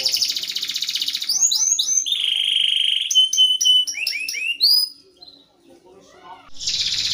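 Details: Canary song played to stimulate lazy canaries to sing: rapid high rolling trills, then a long steady whistled note, followed by quick upward-sweeping chirps and a faint pause before another dense trill.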